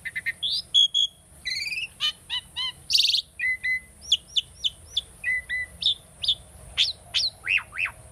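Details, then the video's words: A tame, captive Asian starling sings a quick, varied string of clear whistles, slurred notes and dry chatters, several phrases each second, over a faint steady high-pitched whine. "asian starling singing video - starling bird training song"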